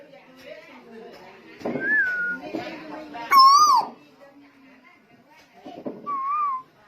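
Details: Lombok tuwu singing energetically amid murmuring voices and room noise: a short high whistle, then a loud falling harmonic whistle, and later a softer wavering note.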